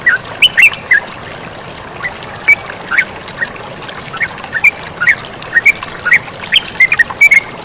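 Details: Sooty-headed bulbul in a bird-training recording, with flowing water, giving scattered bright chirping notes, sometimes paired, with gaps between bursts. A continuous watery rush runs underneath.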